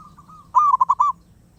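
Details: Soft distant coos lead into a loud, rapid run of four or five throaty cooing notes from a wild zebra dove, then silence apart from low background rumble.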